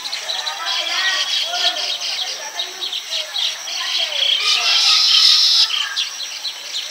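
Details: Baya weavers nest-building in tall palm trees in village Bengal, males calling to attract females: dense, high, sizzling chatter rising and falling in waves, with lower warbled chirps running underneath throughout.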